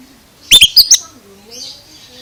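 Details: Oriental magpie-robin producing strange sounds: four quick, loud, piercing chirps in a tight cluster, followed by quieter high warbling and faint low background tones.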